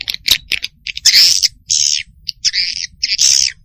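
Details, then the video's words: Swiftlets give harsh, buzzy, high chirps in quick bursts of about half a second, with sharp ticks between them; a call used to attract swiftlets. "Suara Burung Walet"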